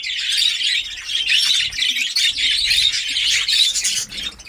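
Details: Budgerigars in a newly prepared breeding colony, caged, Darbhanga, Bihar: unbroken high, buzzy twittering and chirping from many birds at once, with slight low background noise.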